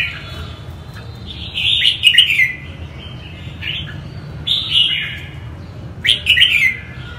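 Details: Northern-type red-whiskered bulbul singing: three bursts of bright, chattering warbled phrases near two, four and a half and six seconds, separated by pauses, over a steady low rumble in the background.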